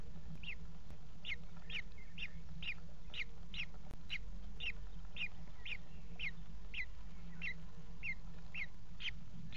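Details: Four young Common Kestrel chicks in a nest box, fed by their mother at 17:00 on 28 June 2016, the day the fourth hatched. Short, thin begging squeaks repeat about every half second over a constant low electrical hum.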